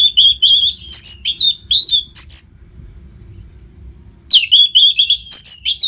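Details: Kept orange-headed thrush in Singaraja, Bali, giving rapid nonstop song to train competition birds: bright warbled whistles with sharp high chips, roughly two bursts a second, a quiet gap of about two seconds, then the lively phrases resume.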